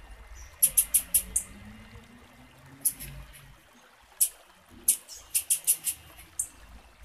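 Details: Female blue-black grassquit giving calls intended to prompt male singing: fast runs of three to five high, sharp chips separated by pauses, with faint low background rumble.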